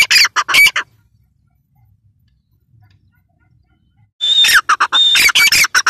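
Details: Female grey francolin giving loud, harsh, ringing calls in two bursts, one at the start and one at the end, separated by about three seconds of silence.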